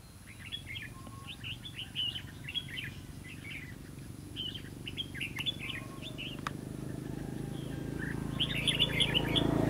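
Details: Red-whiskered bulbul during trapping with a decoy, 11 November 2016: a run of quick, lively warbled phrases repeated about every second or so. Two sharp clicks break in, and a rising rumble of noise builds toward the end.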